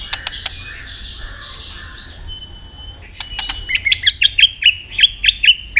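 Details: White-rumped shama in contest song: faint soft phrases and clicks at first, then a series of loud, quick, ringing notes repeated about three per second.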